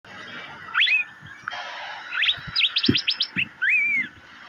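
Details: Asian fairy-bluebird, locally called cucak biru: a few sharp rising chirps, then a burst of quick high upward notes and a long whistled slur that rises and then falls, over a faint hiss.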